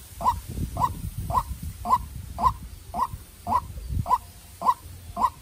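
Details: Farm-raised young White-breasted waterhen decoy facing a wild rival: ten clipped notes at a regular pace of roughly two per second, over faint low rumbling.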